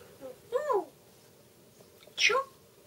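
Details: Pet grey parrot talking indoors: two short voice-like utterances a second and a half apart, the first a falling wavering phrase, the second a brief sharper word, with a quiet room hum between.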